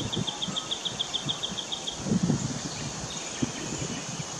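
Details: A White-winged triller in an Australian backyard, 28 October 2018, an unusual visitor that moved east during inland drought, sings a fast, even trill of about a dozen bright notes over two seconds, with wind and rustling behind.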